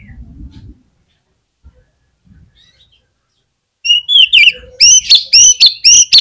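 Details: Oriental magpie-robin lure song for prompting other magpie-robins to sing: low murmuring and faint sounds at first, then a loud sudden outburst of bright, sharp whistled notes and chips repeated about twice per second.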